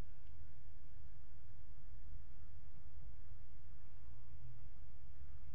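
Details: Continuous low rumble and faint room noise, without any animal sounds.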